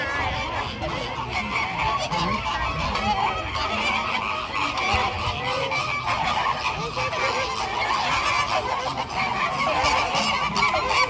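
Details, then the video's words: Noisy flamingo flock giving a thick, continuous wall of harsh, goose-like honks and chatter, many birds calling at once with no pauses throughout. "Flamigos Making Beautiful Sounds"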